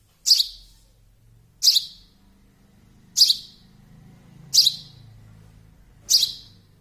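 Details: Baby sparrow calling with five loud, high-pitched single chirps at regular intervals of about one and a half seconds against a near-silent background.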